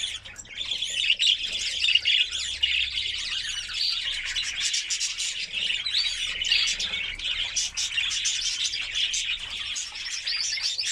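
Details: Sustained singing by a white canary, a training song meant to excite hens for mating: long, rapid, high warbling trills with chirps, unbroken for about eleven seconds.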